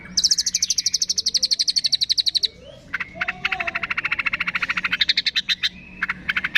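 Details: Long-tailed shrike mimicking cililin, fighting sparrow, lovebird, tengkek and kapas tembak: a rapid high trill, then a pause and a lower, harsher buzzing rattle of quick notes, finishing with scattered sharp chirps.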